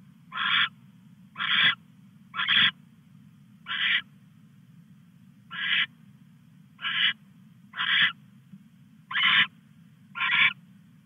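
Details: Live camera at 2:34 AM on August 22, 2015, as a male owl arrives with a mouse for the female. Nine brief, harsh, breathy shrieks come roughly once a second, spacing uneven, with a faint low hum throughout.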